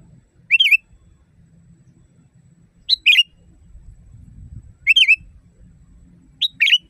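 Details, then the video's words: Sooty-headed bulbul song used to train caged birds, loud and natural: four bright whistled phrases about two seconds apart, each a short note leading into a bubbly falling warble, against a quiet low rumble. "Masteran burung kutilang di tempat raja kutilang. Suara keras fulll alam"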